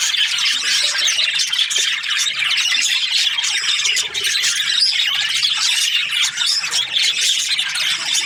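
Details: A happy budgerigar chirps continuously, producing a shrill, crackling warble of quick chirps, squeaks and clicks that runs without a break.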